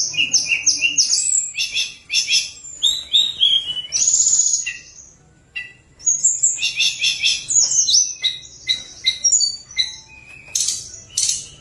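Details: Tledekan gunung, the lesser shortwing, singing vigorously as a lure for birds that sing little: dense bursts of high whistles and chirps in rapid varied phrases, broken by a brief quiet gap, then renewed chatter.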